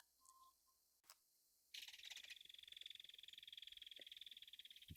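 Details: Belted Kingfisher, native to North America, gives a loud, dry mechanical rattle that starts abruptly after a faint quiet opening and runs for over three seconds as a rapid, even string of harsh clicks.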